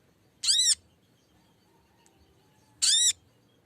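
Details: Lesser green leafbird used as a lure to draw a rival into song: two strong, rasping high calls with curved layered tones, roughly two and a half seconds apart, with near silence between.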